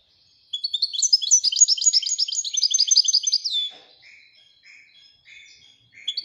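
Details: European goldfinch of Moroccan type singing Widani song: a three-second run of quick, ringing twittered notes, followed by quieter short buzzy chirps spaced apart.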